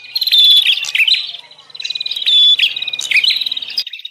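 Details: Bar-winged prinia lure call in the noisy 'ribut' style, also used for birds that stopped singing: high rapid chattering trills and whistles in two main bursts with a softer dip between.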